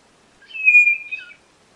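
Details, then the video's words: One drawn-out whistle from a white-bellied nothura, steady in pitch with a slight waver and a brief downward flick at the end, set against silence. "Canto da Codorna do Nordeste Nothura Boraquira"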